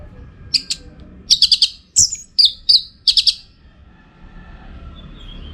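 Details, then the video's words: Orange-headed thrush song for training contest birds, recorded in northern Bali: short bursts of high, sharp chattering and whistled notes in clustered groups, then quiet with faint background hum. "Masteran ANIS MERAH Gacor Untuk Melatih Mental Burung Untuk Gantangan"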